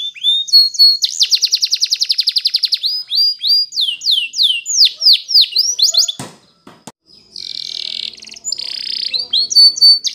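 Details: Spanish Timbrado canary singing in the morning, a long fast rattling trill followed by swooping whistled notes and rolls; a brief break with soft clicks, then a buzzy rolling trill resumes.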